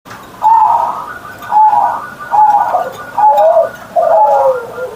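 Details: Caged zebra dove singing in the morning, a kept bird with a big deep voice, Javanese ngerot style: five rolling, slightly descending coos spaced about a second apart, each a short purring phrase ending lower.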